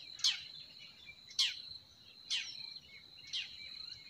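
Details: Forest birds singing in spring: four sharp, downward-sweeping chirps about one second apart, over a faint, steady high-pitched tone.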